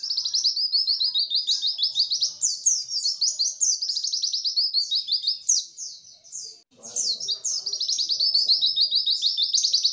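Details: Continuous white-eye song for stimulating birds that rarely sing into singing and imitating: ten seconds of unbroken high, rapid trilling and chattering, with a brief dip in loudness near the middle.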